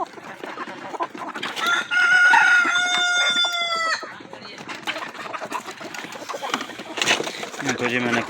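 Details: Rooster crowing once: a long, harmonic-rich call that holds steady for about two seconds, then drops and fades, over a busy background of clucking hens and farmyard clatter.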